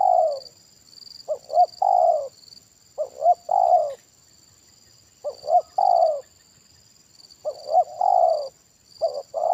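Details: A big-voiced Spotted dove (Spilopelia chinensis) in a bird-luring (pikat) session gives low, hoarse cooing phrases of two or three notes ending in a long drawn-out coo, every two to three seconds, over a steady high hiss.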